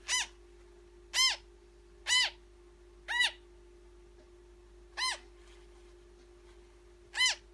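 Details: Newborn African grey parrot during feeding: six hoarse, arched calls rich in harmonics, spaced about a second apart with a longer pause, steady hum behind.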